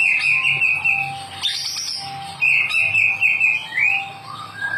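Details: Song of the white-rumped shama, played to prompt a lazy caged bird to sing. Warbled trills give way to a rising whistled slur, with a brief high burst near the middle.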